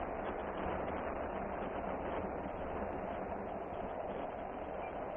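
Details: Continuous broadband mechanical rumble, train-like, with nothing animal-like heard.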